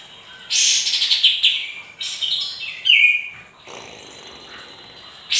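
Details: Sooty-headed bulbul singing steadily, used as a lure to get birds to respond: bursts of bright, scratchy chirping phrases separated by short pauses, one sharp whistled note near the middle, with faint background hiss.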